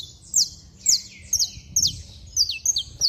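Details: Saffron finch; song; stirring up other saffron finches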